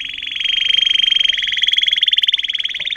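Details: A 2018 trained Timbrado canary of agate topaz intensive yellow colour holds one long, even, rapidly pulsing trill for three seconds, bright and metallic, swelling slightly and holding steady.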